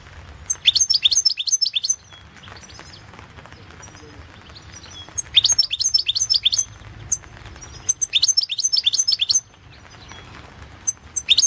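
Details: European goldfinch singing in a 2016 world championship song competition recording: bursts of rapid, high twittering trills about one to two seconds long, separated by short pauses, with faint low background hum.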